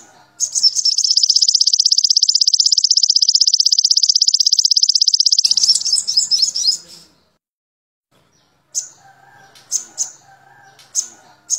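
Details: Sogon trotol song, recorded for tutoring caged birds and raising their excitement and breeding drive: a long, rapid, high, metallic trill of about six seconds that breaks into scattered chips, a pause, then sharp isolated high notes.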